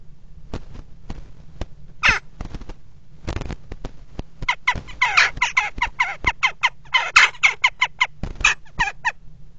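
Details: Common kestrels at a nest box on a water tower, 5 February 2018, mating on the ledge: scattered sharp clicks, then a rapid run of harsh, repeated notes building after a few seconds, over a constant low hum.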